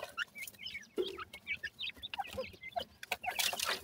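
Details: Feeding grey francolin chicks give rapid, thin peeps and bent chirps in quick succession, several birds calling over one another, mixed with tapping clicks and rustling.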